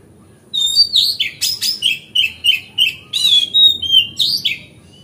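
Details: Kacer (Oriental magpie-robin) in full, steady 'gacor ngeplong' song used as a lure to provoke other magpie-robins into tail-spreading; clear sliding whistles alternate with harsh rasping bursts in a quick, uneven rhythm, with no other sounds.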